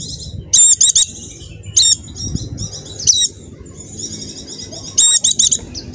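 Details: Javan dakun white-eye lure song meant to prompt caged birds to sing. Piercing buzzy notes are grouped in short clusters, linked by a rapid thin warble, with a muffled low rumble underneath.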